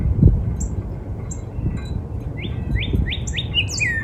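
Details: Northern cardinal in a spring backyard, quiet at first with only faint high chips, then four slurred whistles and a longer drawn-out note in the second half, above a low rumble.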